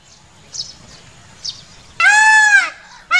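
A peacock gives one loud, nasal, wailing cry lasting under a second, with the start of another at the end; faint high chirps from small birds come before it.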